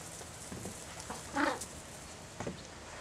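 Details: An African penguin gives an agonistic call during a fight between two adults: short, harsh, braying bursts, loudest at the midpoint, with a weaker one a second later over steady background hiss.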